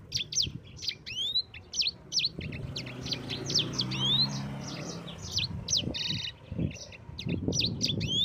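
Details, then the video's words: Yellow-fronted canary in rolling song, meant for provoking and training other birds: rapid high chirps and rising whistled slurs, some notes clipped and stuttered, over a steady low murmur of background noise. "Suara Burung SANGER GACOR Ngerol Pedas paling ampuh untuk Pancingan dan Masteran"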